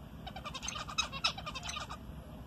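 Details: A pet zebra finch answers its owner's talking with a quick run of nasal, buzzy beeping notes over a low background hum.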